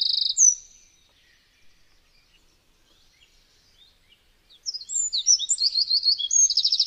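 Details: Eurasian wren recorded on a Zoom H6: one sharp, very high note at the start, a quiet pause, then a loud, rapid burst of shrill twittering notes ending in a fast, dry trill.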